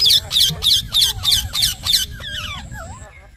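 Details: Talking pet parrot giving seven evenly spaced harsh, buzzy squawks about three per second, then softer bending whistled and talk-like notes fading away.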